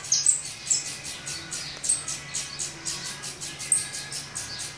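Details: Feeding time for hungry saffron finch chicks in the nest; raspy, high begging chirps pulse about twice a second, topped by scattered short sharp squeaks, over a low continuous hum.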